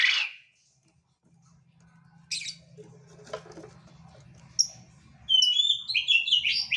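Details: Quail calling actively: scattered faint notes, then a lively closing series of high, quick, downslurred chirps repeated several times.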